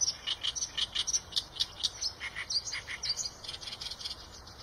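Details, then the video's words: Eurasian tree sparrow calls: short, bright chirps repeated steadily, roughly three or four each second, some slurred and twittering, throughout the clip. "tiếng chim sẻ đồng cường phạm"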